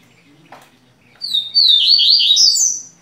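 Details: Tui-tui parelha style song of a Double-collared seedeater kept indoors in Rio de Janeiro, Brazil: after a faint click, a sustained high phrase of wavering, slurred whistles that rises further at the end, sharp and clear over a quiet room.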